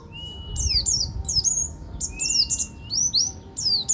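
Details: Swinhoe's white-eye of the local buktoni type from Banten, singing 'ngeroll tembak' style: long steady whistles that bend downward, followed by quick squeaky, swooping high notes, repeated in short phrases.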